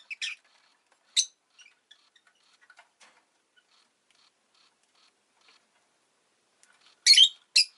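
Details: Rosy-faced lovebird giving two sharp chirps at the start, a long near-silent stretch with faint ticking, then a final pair of loud, harsh, shrill chirps close together.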